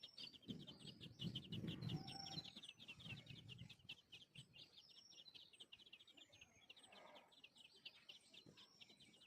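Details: Parent bird pair caring for their chicks at the nest; a dense run of rapid high chirps and twitters repeated many times a second, with low rumbling noise early on.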